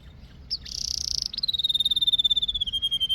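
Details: Canary singing: a buzzy trill burst near the start, then a long, pure, slowly falling whistled note with fine rapid pulsing, over a quiet background.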